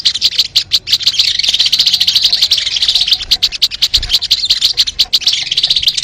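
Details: Continuous hurried chatter from a sogon bird, a steady stream of quick scratchy notes with faint whistles, used for luring birds.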